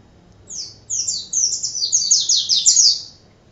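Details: A short, accelerating burst of high, thin twittering from an Oriental white-eye in lively 'gacor' tutor song, the notes crowding together before stopping abruptly.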